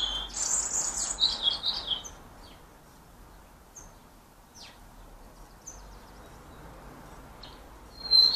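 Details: European goldfinches (Carduelis carduelis) at sunflower-heart feeders in Ireland: a burst of bright, tinkling, high twitters for two seconds, then a few scattered thin chirps and one more twitter at the end.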